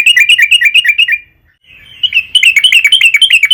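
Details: Sooty-headed bulbul singing persistently, used as a lure to make other bulbuls sing. Fast chirping notes in a steady run, a brief quiet gap with a thin note, then another lively run of repeated chirps.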